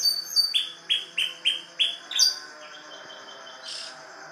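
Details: Canary singing in a ciblek-like style: about seven clear, downslurred chirps repeated roughly three times a second, then a thin, quieter sustained trill and a brief buzzy burst.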